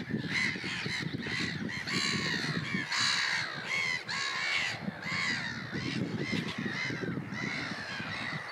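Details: Common tern, Russia: repeated grating, down-curved cries, roughly one to two per second, some overlapping from more than one bird, with a constant low rumbling background.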